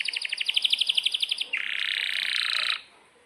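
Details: Canary song with sharp repeated chirps, about a dozen quick notes in a row, then a long dense buzzing roll that stops abruptly, leaving quiet.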